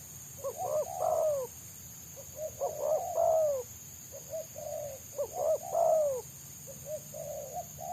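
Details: Wild spotted dove with a dense, quick 'selang nguku' song that trappers seek. Loud phrases of stuttered coos and a long rolling final note, repeated about every 2.5 seconds, plus a steady shrill drone.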